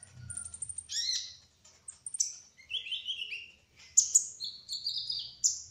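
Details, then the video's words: Spotted (trotol) olive-backed sunbird in full rolling (ngerol) song: high thin chirps and descending buzzy slurs, a burst of sharp ticks after a short pause, then quick whistled notes at the end. "Kolibri Ninja Trotol Gacor Ngerol : Singing Hummingbird"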